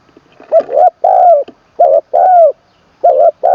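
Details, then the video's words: Spotted dove being trained as a decoy, from Buriram, Isan, Thailand, singing in the "khan long kuk wai" style with a full middle voice. Low mellow cooing phrases repeat about every second, each a clipped note followed by a longer falling coo. "ฝึกนกต่อ เจ้าเพชรบุรีรัมย์ แดนอีสาน ครั้งที่ 3 ตามหมาย 1เดียว ขันลงกุกวัย เสียงกลางเต็ม"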